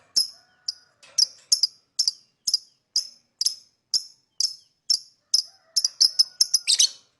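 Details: Lovebird uttering short, thin, high chirps repeated about twice a second, steady at first, then crowding into quick clusters and a harsher burst near the end.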